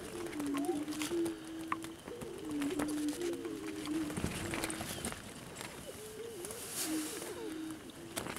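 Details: Prairie chickens in the wild near Salina, Kansas: low, hollow, hooting tones that overlap and repeat, bending slightly in pitch, with several birds calling together over a rural outdoor background.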